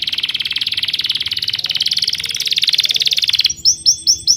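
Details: High, rapid chirping trill from a bird, fast even pulses for three and a half seconds, ending in a few separate arched whistled notes.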